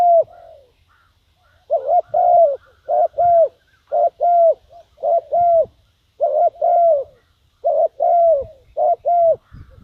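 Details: Spotted dove used as a caller to lure wild birds, giving a long run of paired throaty coos, each double note about half a second apart, one soft coo opening the series, faint rustling below.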